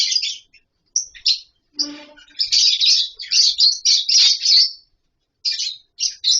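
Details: A lovebird colony in an aviary setup: choppy, shrill high chirps in quick succession, one lower rasping note near two seconds, then a loud run of overlapping squeaky chatter and two final short calls.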